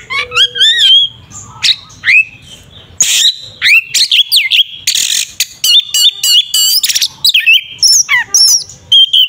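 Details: Oriental magpie-robin in full 'tarung ngeplong' fighting song, used as bait to rile up another magpie-robin; a dense, varied torrent of whistles, rising slurs, buzzy bursts and rapid chattering notes with hardly a pause.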